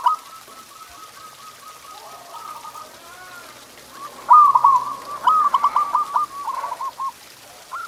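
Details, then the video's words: Local zebra dove singing in a tutor recording for pet doves: soft rapid cooing at first, then loud, bubbling trilled phrases with a steady rhythm, a final note at the close. "Suara Masteran Perkutut"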